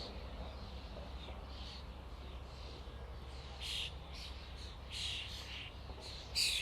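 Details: Flocking common starlings make faint buzzy chatter that builds to a few louder harsh squawks toward the end, set against low background noise.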